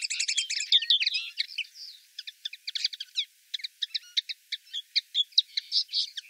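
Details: Common linnet from the town of Wittlich, 2018, opening with a dense twittering rush of chirps and trills that thins into spaced single tweets and short clicks repeated several times a second.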